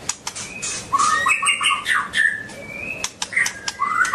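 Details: Dancing white-rumped shama (Copsychus malabaricus) sings: short, clear whistles and upward slurs, some rising steeply, spaced between sharp clicking taps, with a rising whistled slide at the end.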